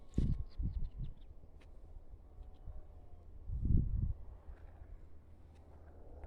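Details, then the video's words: An ostrich gives deep, muffled booming pulses: a cluster of low thumps at the start, then another short burst a few seconds later, over a quiet rumble. "the sounds of the ostrich"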